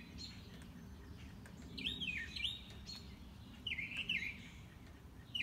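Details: An unseen mockingbird on a morning walk, running through its repertoire: zigzagging whistled phrases in pairs, separated by short pauses, with steady low background rumble.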